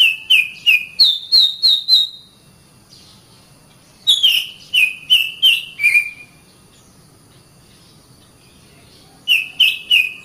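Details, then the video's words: Oriental magpie-robin song to train caged birds: groups of short whistled notes repeated rhythmically at two pitch levels, a downward slurred note, a long quiet gap, then the pattern resumes. "SUARA BURUNG - Masteran Terbaik Kacer"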